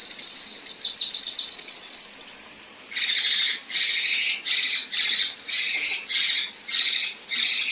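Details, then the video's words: Female kinoi singing besetan and tembakan kasar (rough shots), offered as a tutor recording for contest birds: a fast high trill for two seconds, then a pause, then harsh buzzy bursts about half a second long, repeated roughly twice a second. "Besetan Dan Tembakan Kasar Kinoi Betina"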